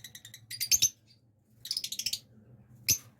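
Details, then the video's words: Blue lovebirds, a breeding pair, kept indoors: bursts of sharp, high chirping chatter in quick clusters, a pause, then another rapid run of squeaky notes and a final single sharp chirp, over a low steady hum. "Blue Love Birds Couple | Breeder Pair"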